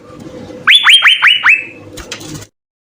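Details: Asian fairy-bluebird, a vigorously singing bird used as a master recording to train songbirds: a quick run of five loud whistled notes, each sweeping sharply up then levelling off, followed by a faint rustle.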